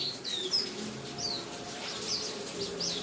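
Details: Buxtomi pleci, a white-eye, chirping against rain sounds played to coax its song; a handful of sharp, high, falling notes spaced irregularly across a background of steady rain.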